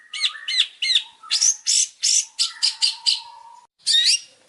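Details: Long-tailed shrike master song used for training, champion bird: curved whistled notes and harsh squawky chirps in a varied sequence, with a low steady whistle held underneath for about two seconds.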